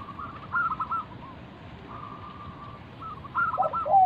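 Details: Zebra dove, a local wild bird used as a calling lure: soft rolling coos, a long quiet stretch with a faint steady tone, then rising, louder rippling notes at the end.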